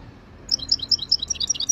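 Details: Wild European goldfinch from Jijel, 2023: a rapid, liquid twitter of high, bright notes tumbling together in a short burst over a quiet low hum.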